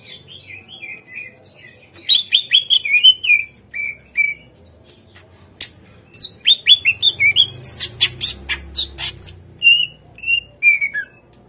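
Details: Greater green leafbird song played as a lure so untrained caged birds respond and sing: short falling whistles, bursts of sharp high chirps and clicks, with a faint low hum underneath.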